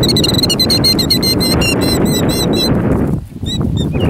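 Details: A killdeer faking a broken wing in a distraction display (2019) gives rapid, high, piercing calls, several per second, over a heavy low rumble of wind or traffic; the calls thin out toward the end.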